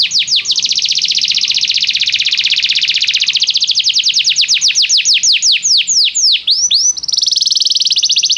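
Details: Canary song meant to attract a caged canary into singing: a continuous dense rolling trill, shifting into quick downward sweeps, then a short rising slur and a final high buzzy trill.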